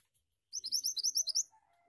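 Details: Mantenan, or Pied Triller, singing gacor ngeroll style: a rapid roll of about eight high, rising whistled notes lasting one second, followed by a faint low tone.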